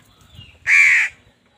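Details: A single harsh, buzzy caw of about half a second from a crow fighting with wild birds for food, against quiet low background noise.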